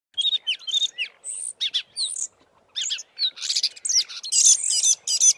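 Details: At least four fiscal flycatchers sing with tails fanned in a valley near Committees Drift: high scratchy chirps and thin whistled notes in quick overlapping bursts, with a little mimicry resembling sparrow chirps.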